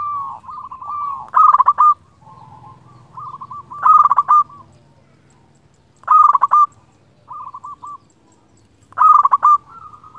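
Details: Local zebra dove in full song, calling rivals and used as a lure to stir other doves into singing. Soft trilled coos near the same pitch alternate with loud, rough, rolling coo bursts that return roughly every two and a half seconds. Faint low hum underneath.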